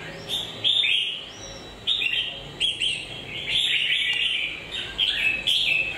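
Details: A red-whiskered bulbul delivers a string of short, lilting whistled phrases, crisp and bouncy, several per second-long burst, separated by brief silences, against light background noise.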